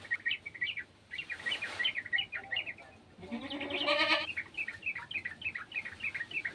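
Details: Garden sooty-headed bulbul calling with an untrained bulbul: steady streams of rapid chirps almost without pause, with a nasal bleating cry swelling in the middle of the chattering.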